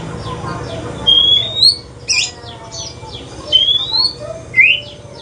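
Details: White-rumped shama in the evening, a very chatty bird described as changing into the Aceh pastol type, sings a lively varied run of clear sliding whistles, some rising steeply, mixed with harsh buzzy bursts, phrases coming every half second over a low steady hum.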